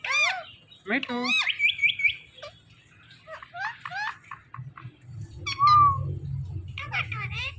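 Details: Talking Indian ringneck parrot producing a rapid string of high, squeaky, speech-like syllables and short rising chirps, then a clear whistled note, with a low room hum underneath.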